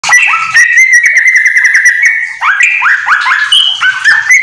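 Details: ['Yellow-vented bulbul, a house-kept bird in rapid nonstop song filled with white-rumped shama phrases, used as a tutor for other bulbuls: loud clear whistles, rising slurs and quick downward notes run together without pause.']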